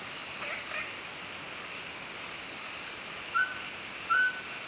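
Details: Mountain scops owl at Maokong, Muzha (Taipei) on the night of 4 August 2020. It gives two clear, mid-pitched whistled notes about a second apart over a steady hiss of night insects.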